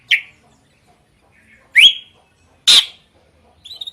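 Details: Drongo with loud, varied song: a short chirp, a rising slurred whistle, a harsh noisy burst, and a soft fluttering trill at the end, in otherwise quiet surroundings.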